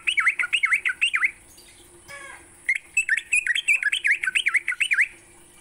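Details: Sooty-headed bulbul singing in the morning, used as a training lure for songbirds: bright, bubbly notes sweeping up and down, quick phrases repeated about three times a second, a short pause midway, steady high hiss behind.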